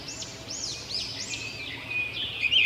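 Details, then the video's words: A robin chirps: a quick series of high, looping arched notes, each rising then dropping, followed by a thin sustained whistle and a few sharp chips at the end. "Robin Birds Chirping"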